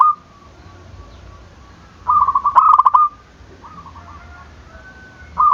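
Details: Zebra dove cooing to goad rival birds into sound. One loud burst of quick staccato notes, about a second long, followed by softer fragments and the start of another phrase at the end.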